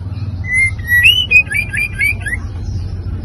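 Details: White-rumped shama singing a provoking song meant to stir up other birds: clear whistled notes near the same pitch, then a quick run of short rising and falling slurred phrases, over a steady low hum.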